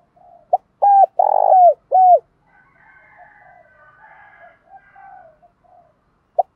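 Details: Captive spotted dove used as a decoy, cooing to rouse other doves during daily training: a short note, then three strong, hollow coos in quick succession, followed by softer distant cooing from other doves.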